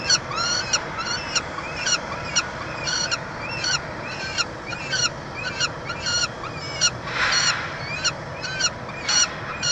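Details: Peregrine falcons at a nestbox at the University of Montreal, Canada, on 22 June 2023 while a chick is fed: a rapid, irregular series of thin, piercing wailing notes, about thirty a minute, over a constant rumble.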